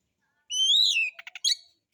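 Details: White-rumped shama lure song: one long rising then falling whistle followed by a few short dry clicks and a sharp high note.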